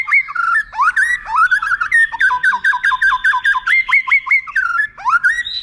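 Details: Song of a white-rumped shama serving as a tutor for contest birds, a rolling series of repeated rising, hooked whistled notes, about two to three per second, clean and loud.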